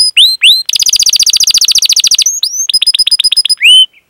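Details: Canary 'cuit cuit' and rolling song meant to stimulate caged canaries: rising whistled chirps, a dense fast trill lasting about one and a half seconds, then clipped high notes and a final long rising whistle.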